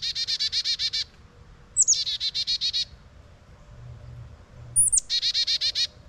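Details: A Blue Jay on a windy day gives three rapid bursts of harsh, evenly spaced notes, about nine a second; the last two bursts open with a high, sharply falling whistle. Soft wind rumbles underneath.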